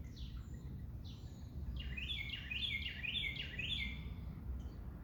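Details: Bird singing outdoors: a series of bright, quickly repeated descending chirped notes forming a rolling trill, with a few softer high calls before and after, over steady low background rumble.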